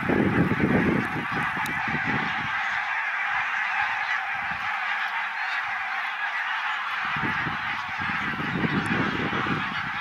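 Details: Greylag geese flocks, wild migrants from Iceland, arriving in October for a winter stay on Islay, Scotland: a burst of massed honking at the start, a steady broadband hiss through the middle, then the overlapping honking chorus returns near the end.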